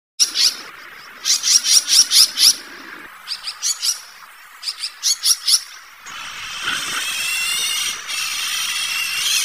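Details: An Azure-winged magpie (Cyanopica cyanus) calls in quick bursts of five or six harsh, scratchy notes, repeated in short runs; a steady rushing hiss follows.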